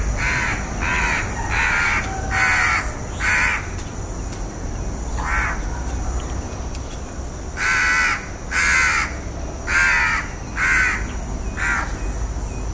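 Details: House crow giving a long series of harsh caws, first in a quick run of five, then scattered single and paired caws, against a constant low rumble and a steady high-pitched whine.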